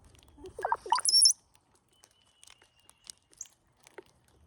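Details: Cowbird at a backyard feeder during migration, many cowbirds present: a liquid gurgling phrase of low bubbling notes that climbs sharply into a thin, very high whistle, then only faint ticks and rustles.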